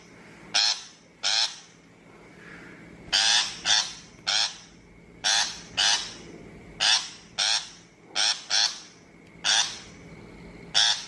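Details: Shrike lure recording for bird trapping, 2023: about fifteen raspy, buzzy chack notes, some in close pairs, delivered irregularly over eleven seconds against a faint steady tone.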